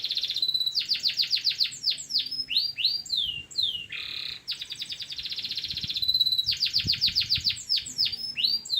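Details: Local canary singing for bird training: rapid rolling trills alternate with swept whistles and a broad buzzy note midway, delivered continuously and loudly.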